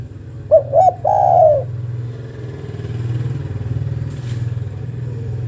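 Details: Female spotted dove calling for a male: one phrase of two brief hoots and a long coo at the start, then a passing motorcycle's rumble fills the rest.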